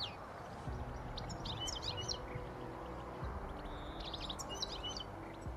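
A European goldfinch gives two bursts of quick, high tinkling twitters a couple of seconds apart, over a steady low rumble of background noise.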